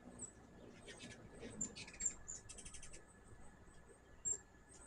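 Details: A hummingbird at a backyard feeder gives thin, very high, scattered chips and brief scratchy bursts over about five seconds, against a faint low background hum.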